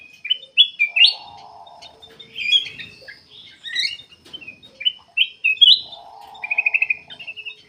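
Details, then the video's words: Energetic song of a black-capped bulbul, used as a lure to set other birds singing; rapid, varied whistles and slurred notes in short phrases, one quick rattling trill near the end, and two low buzzing hums behind. "KUTILANG EMAS \ CUCAK EMAS GACOR FULL GACOR sangat bagus buat pancingan \ pikat"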